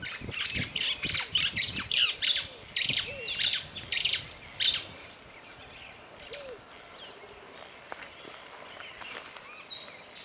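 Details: African jacana giving a run of loud, harsh, buzzy notes, roughly two per second, for about five seconds. Scattered faint thin whistles and chirps follow over a quiet outdoor background.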